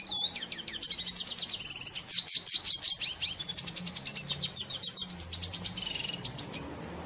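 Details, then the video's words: A red siskin sings in the wild, a fast, continuous twittering song of high buzzy trills and sharp chips with brief clearer whistled notes. "CANTO DO PINTASSILGO VENEZUELANO"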